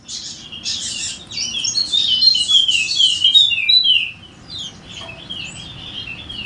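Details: Energetic golden-headed Wallacean white-eye, endemic to Sumbawa, NTB, singing to coax lazy white-eyes into song. Fast, high, twittering whistles slide downward amid rough buzzy notes for about four seconds, then fade to near silence.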